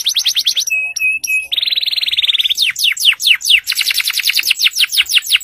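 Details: Loud singing canary, in full song and played to coax other silent canaries into singing: high rapid trills, a few level whistled notes, then fast repeated downward-sweeping phrases, all bright and continuous.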